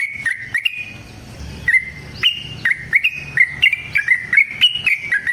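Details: Yellow-vented bulbul in a long fighting song meant to make other bulbuls sing; a few whistles, a short lull over low rumble, then a fast, even run of bright slurred notes.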